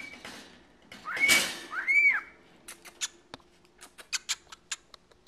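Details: A 14-year-old male pet cockatiel, kept indoors and described as a constant chatterer, gives two arched whistles in quick succession, followed by scattered dry clicks and taps, while a person talks to it.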